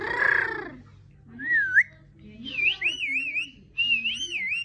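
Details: Pet parrot singing: a harsh, broad opening call, then a series of clear warbling whistles that wobble up and down, each phrase about a second long with short pauses between, plus soft low tones under them.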